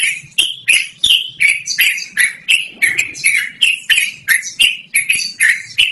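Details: Yellow-vented bulbul singing loudly and continuously, a clear melodious song used for luring wild birds or as a master recording for training; short bright chirpy notes around three per second, each with a sharp click, steady rapid chatter.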